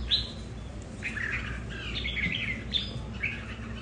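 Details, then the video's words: Several home-kept red-whiskered bulbuls vying for territory, each bird differing in temper: a few sharp chirps, then bright slurred warbles in quick bursts against faint background hiss. "Những CB ở nhà so kè lãnh thổ"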